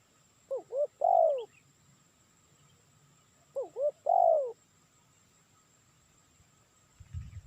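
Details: Spotted dove call used as a lure: two identical phrases about three seconds apart, each of two short upswept notes and a longer mellow descending coo, in quiet surroundings with a short low thump at the end.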